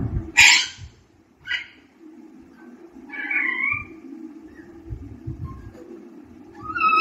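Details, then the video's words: Young pet parrot learning to talk indoors gives a harsh raspy burst, a short squeak, then a longer wavering harmonic call and a rising note at the end, with soft background thumps. "शुरुआत में तोत्ते के बच्चे इस तरह बोलना सीखते है/Baby Parrot talking Continuously/Talking Parrot"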